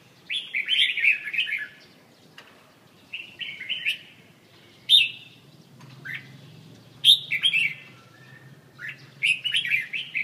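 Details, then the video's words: Red-whiskered bulbul from central Vietnam delivering short lively whistled phrases, each under a second, spaced irregularly about every two seconds, with sharp high clicks between them. "Mientrung -Kênh về chim Chào mào"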